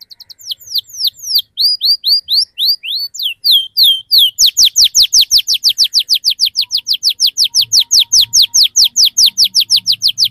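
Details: Canary rolling song used to prompt young birds to sing: varied looping whistled notes, then a long, loud, fast series of repeated downward-sweeping chirps, with a faint low hum late on.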